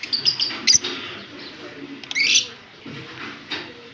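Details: Fischer's and blue personata lovebirds kissing as a pair, Larkana, Sindh, October 20, 2023; thin high chirps early, then a louder harsh squawk near the middle, over a steady faint hiss.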